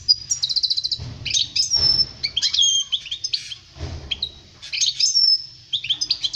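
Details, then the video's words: Goldfinch singing for young birds learning their song, a lively run of liquid twitters, quick chirps and thin high whistles in bursts separated by brief pauses, over a soft low background hum. "Chant chardonneret pour les jeuns لتعليم صغار طائر الحسون"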